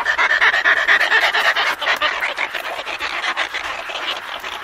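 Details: A pair of Antarctic petrels calling to each other in a colony at Scullin Monolith, Antarctica, close-up: harsh, raspy cackling calls in a quick, steady rhythm of about two per second, with constant background hiss.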